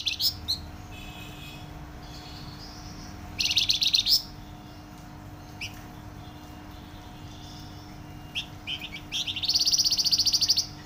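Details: Flamboyan bird singing actively, loud and densely: bright, high, rapid trilled bursts near the start, around the third second and again at the end, with scattered short sharp chirps between them over a steady low hum.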